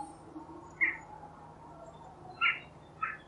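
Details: Three separate short, sharp jackdaw calls, loud and clipped, spaced unevenly over a quiet background with a soft low hum.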